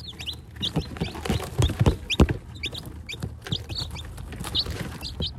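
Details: Lots of newly hatched baby chickens giving high, brief upward peeps scattered throughout, mixed with clicks, knocks and rustling handling noises.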